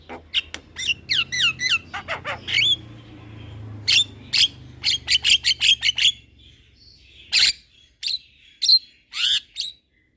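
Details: Young Javan myna singing in captivity with head-nodding: rapid bursts of sharp clicking notes and curling whistles, then a pause, then spaced harsh chips, over a low steady hum.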